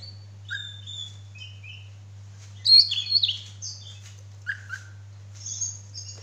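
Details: Male Oriental magpie-robin fanning its tail while singing softer, scattered whistled notes and short slurred phrases with a louder burst midway, accompanied by a steady low hum.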